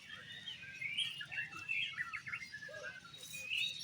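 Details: Oriental magpie-robin (kacer) singing at a songbird competition in an 'exotic' style. Rapid, varied whistled and chattering phrases sit high in pitch, with overlapping song from other competing birds and a steady low hum behind.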